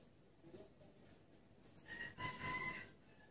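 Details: A female red junglefowl gives a short, nasal, ringing call of one or two notes, rising from a quiet start, over steady background hiss; used as a lure to call wild males.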